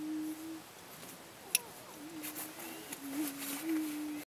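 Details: Group of prairie chickens near Wray, Colorado, 2 April 2010, 7 pm: low, even humming hoots that run together into a drone, with scattered brief higher yelps and one sharp click.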